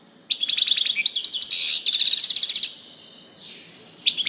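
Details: Quick twittering song of a European goldfinch, a dense run of high chirps and a trill lasting about two seconds. Softer sliding notes follow, then a fresh burst at the end.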